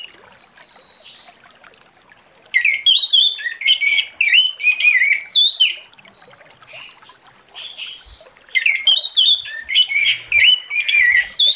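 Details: Orange-headed thrush delivering loud morning ngeplong song used as a lure: rapid, varied high whistled phrases, slurs and trills, close together with hardly a pause after a short quiet opening.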